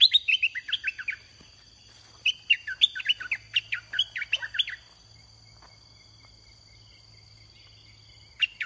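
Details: Red-whiskered bulbul kept in a cage as a decoy for luring wild birds. Fast chains of clear, bouncing whistled notes are delivered in two lively runs, then a lone note, with a constant high-pitched insect hum behind.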